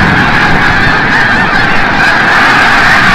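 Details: A dense flock of snow geese coming back from the bay at sunset, Forsythe National Wildlife Refuge, Oceanville, New Jersey: a continuous wall of overlapping nasal honks with no pauses.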